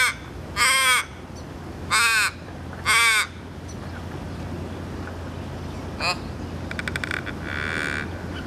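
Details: Australian raven in Melbourne giving three harsh, drawn-out, falling caws about a second apart, over a low background rumble with a few faint chirps and rattles after.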